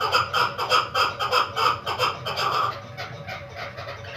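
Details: A caged female chukar partridge, held a month for hunting, utters a quick run of sharp chuck notes in a steady rhythm that stops abruptly after a few seconds.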